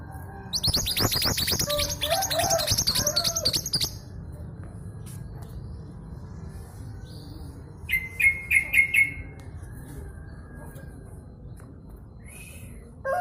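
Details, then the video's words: East Javan female long-tailed sibia, local bird used to coax reluctant males to sing, delivers a dense burst of high chirping notes for several seconds, later a short thin trill and a few scattered chirps over low hum. "MANTENAN GUNUNG GACOR"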